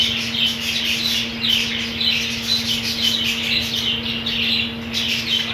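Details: Budgies in a colony with green food squawk and chirp in bright, scratchy bursts repeated every half second or so, pulsing in loudness, with a steady low hum underneath.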